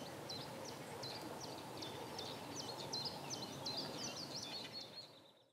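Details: High, clipped note pairs repeated rapidly for about five seconds from a male Common Reed Bunting at Brökermersch, Hamm, on the morning of 9 April 2017 at 08:30, Panasonic Lumix GH5 camera; constant low rural background noise, fading out at the end.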